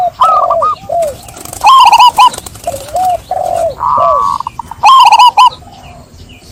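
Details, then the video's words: Zebra dove song in short clusters of fast, metallic coo notes, a few drawn-out downward slurs between them, then pauses before the next loud burst; faint hiss underneath. "Suara burung perkutut"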